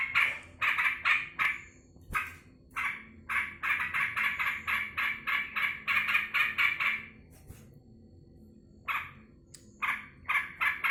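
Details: Kept yellow-vented bulbul greeting its owner home from work, said to be very happy. Loud bubbly chattering phrases repeat in fast bursts for about seven seconds, then a pause and more short bursts.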